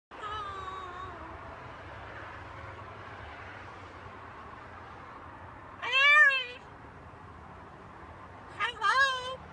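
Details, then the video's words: Pet talking macaw hanging out on a balcony: after a long quiet stretch of low background hum, two harsh, arched, nasal squawks, the second broken into short bursts near the end. "Our talking Macaw"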